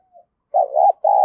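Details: Decoy spotted dove in the 'thổ thúc' style cooing to draw in other doves: a faint short note, then a loud, low, rolling coo and a final sustained coo ending in a click.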